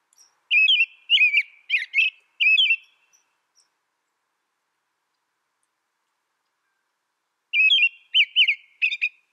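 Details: American robin song in two clusters of short, rich whistled phrases, the first four phrases long, then a long silence before another quick group of three or four.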